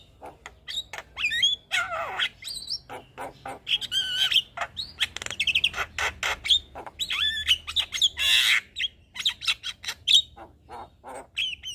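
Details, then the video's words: Energetic song of a white-eyed Javan myna rich in inserted phrases, the bird nodding: a long chattering stream of clicks, harsh squawks, wavering whistles and scratchy bursts. "Kicauan Jalak kebo Mata Putih Gacor Full Isian Manggut2"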